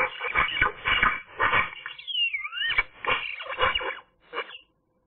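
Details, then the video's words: A Eurasian magpie sings on a sunny day, with grating, chattering phrases around a pair of looping whistled notes, before fading into a few last scratchy notes and silence. "magpie nice singing"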